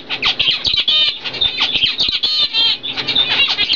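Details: Normal cock and fawn hen zebra finches bred in 2012; busy stream of nasal buzzy notes and sharp chirps, overlapping and almost unbroken, slightly hoarse harmonic tone.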